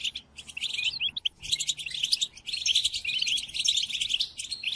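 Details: European goldfinch song played to captive goldfinches for song training: dense, rapid twittering and tinkling phrases with buzzy notes, delivered in bursts with brief pauses, high and bright throughout.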